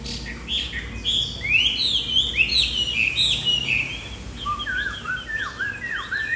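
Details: Tame caged bob-tailed Chinese Hwamei singing well: rapid, varied whistled phrases with sweeping upward slurs and trills, then lower, falling whistled notes repeated in short bursts, against faint background hum.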